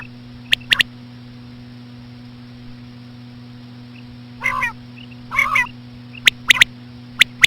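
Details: Common quail; female call; female calls used to attract quail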